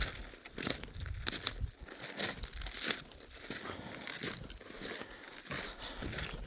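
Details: Crinkling and crunching handling noises with bursts of rustle are heard, and no animal calls.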